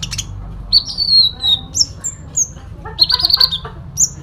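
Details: A sooty-headed bulbul sings its fighting song with fills. High whistles sweep down and level out, and sharp upslurred chips follow. Near the end comes a brief rattling burst, with faint background hum throughout.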